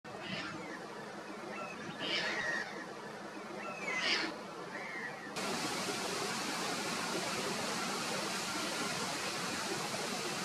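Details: Caspian tern (Hydroprogne caspia) flight calls at Vuelta Ostrera: three harsh, rasping calls about two seconds apart, followed by steady wind-like hiss.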